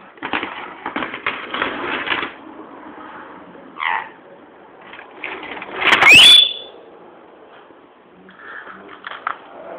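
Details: Pet rainbow lorikeet, male, kept indoors, angry because a pair of keys is near: harsh raspy screeching bursts, then a loud squawk ending in a sharp rising whistle, with quieter scratchy chatter and clicks between.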